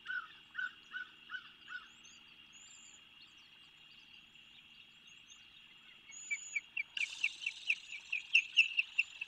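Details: Ospreys calling at a nest on Skidaway Island, Savannah, Georgia, 8 February 2023, recorded by a bird cam: five evenly spaced piping chirps, a pause, then a quicker series of about a dozen sharp chirps, with a steady high hum behind.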